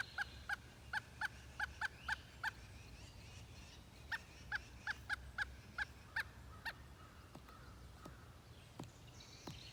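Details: Pileated woodpecker calling in Hebron, Connecticut: two bursts of evenly spaced, loud, hollow notes, the first run lasting about two and a half seconds, a pause, then a second run, with faint higher bird chirps toward the end.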